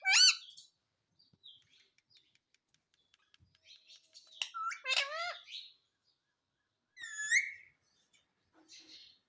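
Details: Pet talking parrot mimicking words such as mummy and papa; quieter, scattered squeaky syllables with faint clicks, a louder wavering phrase midway and a short rising call near the end.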